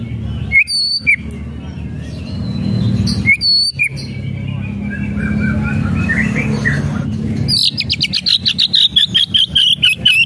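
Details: White-rumped shama whistling and crackling, meant to stir a quiet bird to sing: a few sharp whistled notes separated by pauses, then a fast rattling burst of short notes repeated many times a second, slowly dropping in pitch, over low hum.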